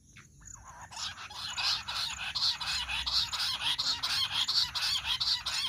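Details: Jungle bush quail call used for hunting: a low swoop and pause, then building, regularly pulsed shrill chattering that grows louder and continues steadily to the end.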